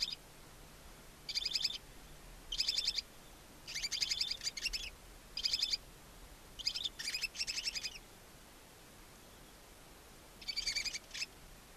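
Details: Two newly hatched barn owl owlets alone in a nest box mounted beside a chimney in Ságvár, Hungary, in April; harsh, hissing, broadband screeches in bursts of about half a second to a second, repeated irregularly with short gaps.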